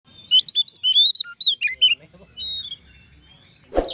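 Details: Oriental magpie-robin singing loudly to provoke other magpie-robins into song: a rapid run of sharp whistled notes and slurred chirps between 2 and 5 kilohertz-range pitch, then quieter warbling and a harsh burst at the end.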